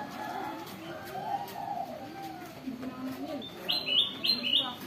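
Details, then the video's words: Spotted dove (tekukur) with a big voice delivers a string of low, rounded coos. Near the end, sharp high chirps from another bird cut in. "tekukur gacor suara besar"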